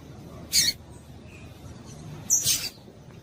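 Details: Female double-collared seedeater giving calls used to excite males into singing: two brief, sharp, high chirps about two seconds apart over a quiet background.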